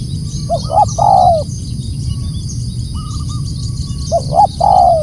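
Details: Spotted dove calling loudly, two phrases each of two short clipped coos leading into a long, sliding downward coo; between them, faint flat higher-pitched notes and a steady background rumble.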